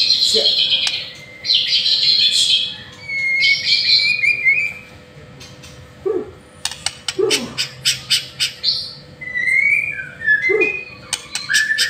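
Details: Master-song white-rumped shama: buzzy rasping phrases, a pause, then a rapid burst of sharp clicking chips and short whistles, ending in sweet slurred notes.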